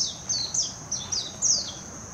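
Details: Song of a warbling white-eye, Hashimoto, Wakayama, Japan, June 2021, Nikon Coolpix P900: a few quick, very high slurred notes dropping in pitch, given in a brisk run, with a thin constant whine behind.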